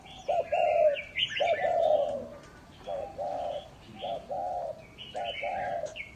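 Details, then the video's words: Spotted dove used as a lure bird, 2019: deep humming coos in two-part phrases, short note then drawn-out one, repeated several times, with higher chirping and twittering from other small birds over the top. "chim cu mồi hay đủ bài 2019"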